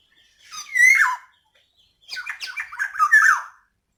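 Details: Female black-naped oriole giving lure calls meant to stir a quiet male into singing: two loud, rasping, nasal squawk bursts, the second longer and broken into several grating notes, in a quiet room.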